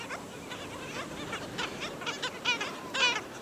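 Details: At St. Pete Beach, Florida, black skimmers set upon and kill a chick. Many clipped, nasal yaps come in quick succession, ending with two louder, harsh barking calls.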